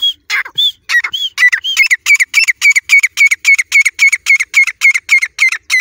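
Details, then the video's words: Grey francolin chicks, teetar, from Layyah: after a few varied whistles, a steady series of short, slurred squeaky notes repeats about three to four times per second, evenly spaced and loud, with no other sounds. "Grey francolin chicks baby teetar"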